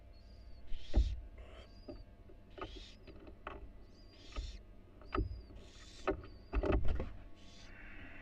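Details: Female barn owl stepping briefly outside a University of Florida nest box that holds four tiny nestlings. Breathy hisses and thin whistled notes mix with loud knocks and scraping movement sounds.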